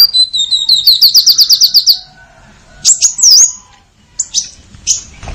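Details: Purple-throated sunbird song: a fast trill of about a dozen high, sharp notes over two seconds, then a pause and several piercing, slurred high whistles, in a quiet setting.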